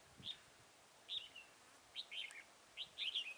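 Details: Red-whiskered bulbul at Chùa Hương, Mỹ Đức, during trapping on 11 November 2017, delivering clear bubbly warbled phrases about once a second, each a quick run of rising and falling whistled notes over a faint rural background.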